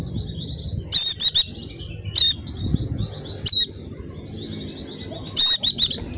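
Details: Pleci from Java, its song used to set off quiet caged white-eyes: thin high twitter with loud bursts of three rapid chirps at start and end, single sharp notes between.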